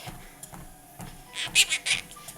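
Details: Pet Quaker parrot perched on a treadmill while its owner walks, talking together; two quick harsh, scratchy bursts near the end, preceded by faint rhythmic footstep thumps from the treadmill.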